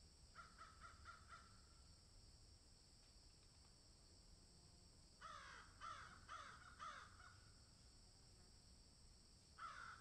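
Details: Crows cawing in a field: a brisk string of short caws at the start, a lull, then a louder sequence of rough, falling caws and a final call near the end.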